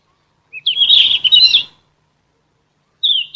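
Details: Sikatan emas flycatcher in full song for training captive songbirds: one long, rich warbling phrase of fast slurred whistles, then silence and a brief downslurred whistle.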